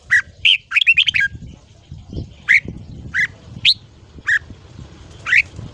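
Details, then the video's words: Red-whiskered bulbul morning song for voice training, 'ché' style: short whistled phrases scattered across the clip, a quick rippling burst near the start, then single bright rising notes spaced about a second apart over a low rumble. "Luyện giọng chào mào hót sáng. Kích ché kích thích bổi giọng dài."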